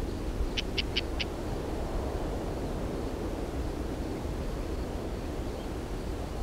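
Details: Hunting lesser grey shrike giving a quick row of four dry, scratchy notes, evenly spaced, over a constant low background rumble.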